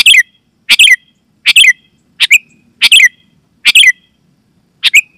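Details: Loud Sooty-headed bulbul lure call for drawing wild bulbuls or prompting caged ones to reply; quick bubbly two- to three-note phrases repeated about every 0.7 seconds, seven phrases, clean background.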